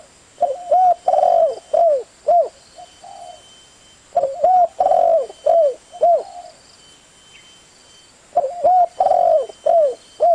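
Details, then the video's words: Repeated cooing phrases of a spotted dove, three bursts of four to six mellow notes, each with a long central coo and downward-curling endings, separated by pauses of about two seconds; faint high electronic whine in the background. "Suara burung tekukur"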